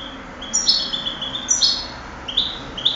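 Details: Goldfinch song from a 2008 singing contest, a run of high, sweet twittering notes with thin rising trills, delivered in quick groups every half second or so.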